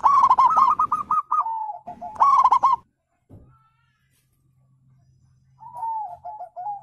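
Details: Zebra dove cooing to draw silent birds into replying: two loud rapid series of short arched coos trailing into lower notes, then a pause with faint hum before a softer descending string.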